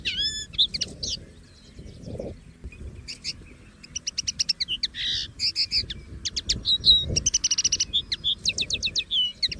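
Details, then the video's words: Common linnet singing free in nature: a fast, varied twittering run of chirps, trills and short whistled notes, with buzzy bursts and rapid stuttered notes toward the end; low background rumble. "CANTO DO PINTARROXO Comum LIVRE na Natureza!!!"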